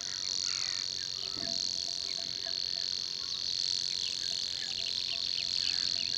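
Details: A Savi's Warbler, a very scarce UK breeder with at most about three pairs a year, reels a steady, fast, insect-like buzzing trill that runs unbroken throughout, with faint chirps from other small birds behind it.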